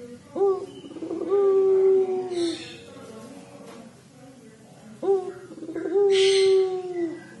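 A Barbary dove gives two low, mournful coos about five seconds apart, each a short upturned note followed by a long, steady, drawn-out tone.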